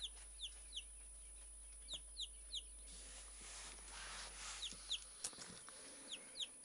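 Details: A tame Silkie chick, being coaxed to come to hands, gives thin, high, downward-sliding peeps in irregular bursts, about three a second, over soft rustling and handling noise.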